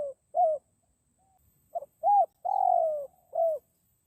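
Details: Spotted dove cooing, used to lure wild doves in forest. The end of one phrase is followed by a full one: a short note, an arched coo, a long descending purr and a rounded final coo.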